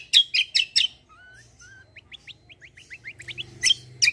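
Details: White-eye singing 'kombo' style, a lively 'fighter' bird for tutoring other songbirds: four loud harsh chirps, then two slurred whistles and a quick run of thin rising notes, ending with more loud chirps.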